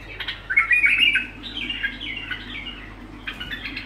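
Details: Bulbul singing without pause, a long run of warbled, chattering notes lasting over three seconds, loudest in the first second and trailing into softer scratchy phrases, heard indoors.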